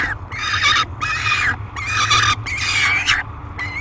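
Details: Peregrine falcon at the Great Spirit Bluff nest box on July 3, 2021, screaming loudly and aggressively during feeding; harsh, rasping screams about a second long, repeated several times with short gaps, over a steady low hum.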